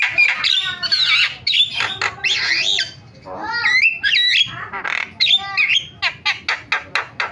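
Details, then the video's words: Starling lure recording used to make quiet starlings start calling. Rasping chatter and twisting whistles come in bursts, then end in a rapid series of sharp clicking notes. "MASTERAN JALAK SUARANYA BIKIN JALAK PADA TERIAK"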